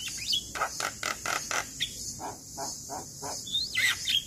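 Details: Male Javan myna lure song to make other mynas sing: a burst of harsh notes about four a second, then softer chatter and sliding whistles at the end, over a constant high-pitched insect hum.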